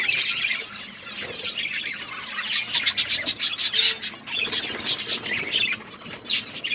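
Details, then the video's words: A group of colourful budgies chattering, a steady run of rapid chirps and scratchy warbled notes with little pause. "Beautiful budgies colour budgies chirping sounds"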